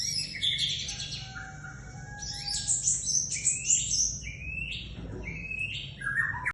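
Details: Scarlet minivet singing energetically (gacor): a lively, varied string of high whistled and slurred notes, some sliding upward, others buzzy or clipped, delivered in quick bursts over a low steady background hum.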